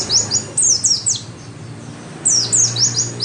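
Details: Oriental white-eye singing to encourage caged birds: two bursts of loud, high, sharply down-slurred chirping notes in quick runs separated by a short pause, over a faint low hum.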